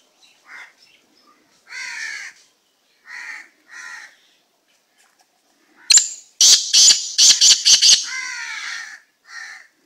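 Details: Unusual slate-grey black francolin calling: scattered softer croaking notes at first, then a loud burst of about seven harsh, rasping, grating notes in rapid series, ending with a lower hoarse note and a short final one; background otherwise quiet.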